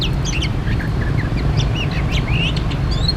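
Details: Oriental magpie-robin recorded during bird trapping: a varied run of short clear whistles and slurred upward and downward notes, quick and scattered, over a constant heavy low rumble.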